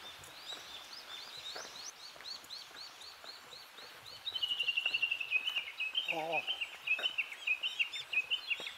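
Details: Japanese bush warbler at Kobokke nature park, Kita-Harima, Hyogo, Japan, with hydrangeas in bloom: a run of high, clipped notes turning into a loud, fast chattering series repeated for several seconds; other bird notes and a brief human voice.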